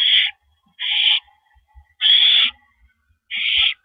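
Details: Barn owls at the nest, April 9, 2012, 8:45 PM, as the male arrives with a rodent. Four broad, breathy screeching hisses, unevenly spaced, with faint rustles between.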